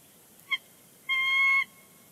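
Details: Bald eagle pair chattering on the nest at Big Bear Lake on 30 January 2020 before leaving; a quick short chip, then a loud, sustained thin whistle of about half a second.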